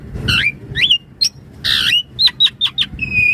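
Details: Jalak suren, the Javan pied starling, singing for use as a lure: rasping upward-sliding notes and a burst of harsh noise, then short clear whistled chips and a final steady high whistle.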